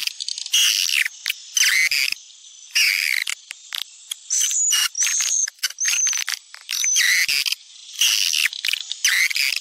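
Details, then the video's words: Swiftlet lure call, a style popular in Sumatra for attracting swiftlets: bursts of sharp, high, buzzy chirps separated by short quiet gaps, with a few thin whistles between them. "Suara panggil walet populer di Sumatera"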